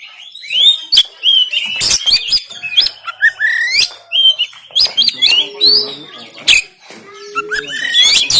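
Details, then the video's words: Oriental magpie-robin (kacer) recorded on an Android phone in Banten, played to rouse lazy caged birds to sing and spread their tails: dense, rapid run of sweet rising whistles mixed with harsh clicking bursts, and a low steady tone twice near the end. "KACER TEMBAKAN KASAR‼️Full Emosi Dongkrak Kacer Yang Malas Bunyi Dan Buka Ekor"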